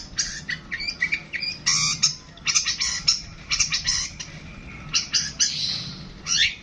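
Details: Long-tailed shrike song, a busy jumble of harsh chattering notes, buzzy bursts and short whistles packed closely together, with rapid mimicry-like phrases and hardly a pause.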